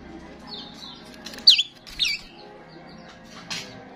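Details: Starling sound used to attract starlings, from a bird said to sing often: a cluster of short squeaky, whistled notes, then a harsh rasping burst near the end, with a faint background hum.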